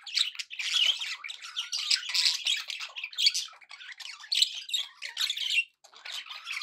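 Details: Several seconds of cheerful budgie chatter: raspy squawks, chirps and warbled phrases running together, ending in a brief silence before resuming.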